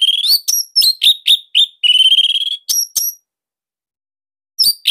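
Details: Orange-headed thrush, Bali type, giving a unique, tight, loud master song for stirring silent birds: sharp whistled notes repeated about four per second, a sustained buzzy trill, then more clipped whistles after a pause.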